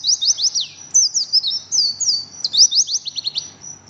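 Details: Oriental white-eye singing in the tight ngriwik style: fast bursts of sharp, high, downward-slurred chirps packed close together, with brief pauses between runs.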